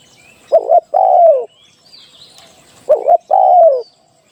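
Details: Decoy spotted dove for trapping giving two phrases: a brief stuttered double note followed by a long, smooth, descending coo, about 2.5 seconds apart, with faint high chirps of other birds.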